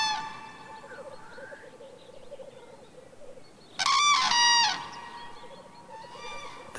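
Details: A common crane on a Central European moor, where cranes perform courtship displays on arriving at their breeding grounds, gives one loud, rolling, trumpet-like call lasting about a second over a soft musical drone, with a brief fainter call near the end.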